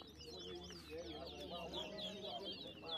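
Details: Towa towa (chestnut-bellied seed-finch) singing at a whistling competition in New Amsterdam, Berbice, Guyana, 2023. Rapid high whistled phrases with sliding notes run under people talking.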